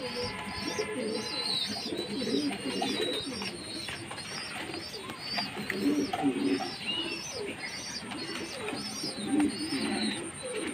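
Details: Jacobin pigeons among fancy pigeons kept indoors: low, rolling coos come in short bursts around every few seconds, under a steady stream of high, thin chirps from other small birds.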